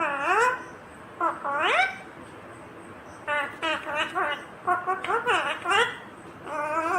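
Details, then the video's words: Talking green ringneck parrot: rapid runs of loud, harmonic, speech-like syllables with rising and falling inflections, nearly continuous for seven seconds, with a few clicks mixed in. "Natural Sound of Talking Ringneck green parrot"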